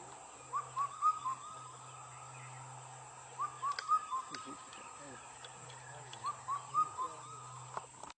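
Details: Indian cuckoo (Cuculus micropterus), call.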